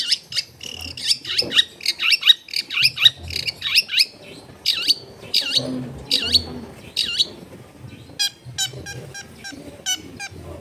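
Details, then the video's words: Long-tailed shrike, a caged bird recorded at home in a crowded neighbourhood as warm-up song to restart singing, giving rapid repeated sharp downslurred notes about twice per second, then a faster burst of clicky notes, with low household noise behind. "PEMANASAN CENDET MACET BUNYI BIAR GACOR LAGI!!"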